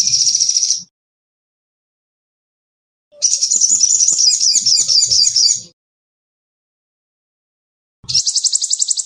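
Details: Sogon (sunbird) singing in lively form: short high trill, a silent gap, then a longer jumbled trill of fast notes with faint low knocks, ending with another brief high trill.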